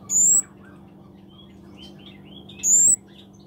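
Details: Scarlet-backed flowerpecker, locally called kemade or cabe cabean, singing vigorously. A very high, thin, slightly rising whistle sounds twice, about two and a half seconds apart, with soft scattered twitters between.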